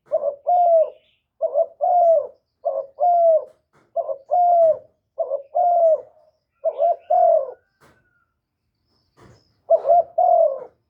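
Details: Caged spotted dove used as a decoy to draw wild doves, recorded cleanly. About nine two-part cooing phrases come in a steady run, each with a clipped lead note and a drawn-out, softly falling coo, and a brief pause near the end.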